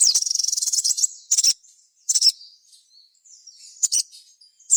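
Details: Lure song of a sogon to make others sing: a rapid stuttering high trill opens, followed by scattered short high chirp bursts and faint thin whistles.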